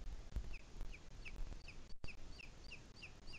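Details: In the Sierra de Guadarrama at 17:53 on 2 July 2021, a booted eagle gives a steady run of brief, sharp, high whistled notes, roughly three per second, against heavy low-pitched wind noise.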